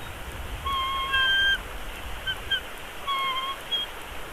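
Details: In Big Bear Valley, a two-week-old bald eagle chick begs at the nest as it is fed, March 2022: drawn-out thin whistled notes with ringing overtones, then shorter paired peeps, against faint background noise.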